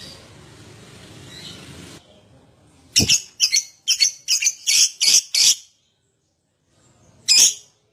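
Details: Caged lovebird used as a training call to prompt other lovebirds to sing: after two seconds of faint hiss, a rapid run of seven harsh, high chirps, then a pause and one more sharp chirp.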